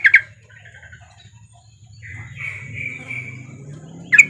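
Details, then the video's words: Female sooty-headed bulbul calling to the male: two sharp, loud chirps open the recording, a softer drawn-out note follows mid-way, and another pair of bright chirps closes it, over a low steady hum. "trucukan betina memanggil jantan"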